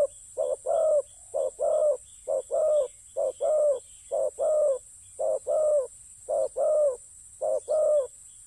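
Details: Spotted dove calling near the ground; repeated two-part coos, a clipped note followed by a fuller, slightly falling one, about once per second, over a constant high insect drone.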